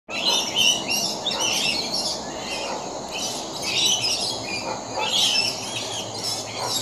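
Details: A flock of rainbow lorikeets at play, recorded 13 December 2015: continuous high, shrill screeching chatter from many birds, overlapping harsh squeals rising and falling, over a steady low background hum.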